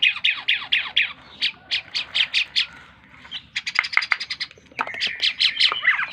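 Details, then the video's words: Tame Asian pied starling singing energetically: rapid series of loud, harsh, down-slurred notes in regular bursts, then a varied stretch of clicks, squawks and whistled phrases. "burung jalak keling gacor dor"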